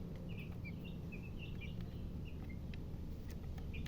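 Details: Baby chicks giving scattered soft peeps, a handful of short high chirps spaced irregularly over loud steady low-pitched background noise.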